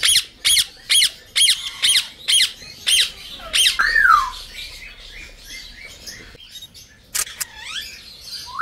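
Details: Senegal parrot squawking loudly in a steady series, about two harsh calls per second, then a descending whistle and soft chirps, with two more sharp squawks near the end.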